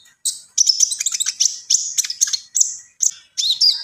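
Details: Javan pied starling singing in full: strident high whistles and rapid clicking chatter in short phrases separated by brief gaps.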